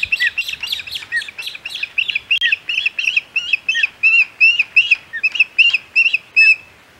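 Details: Osprey at a nest on Hog Island during a midday feeding on 6 July 2020: a run of sharp, high chirps, about three per second and uneven in spacing, each with a quick upward flick.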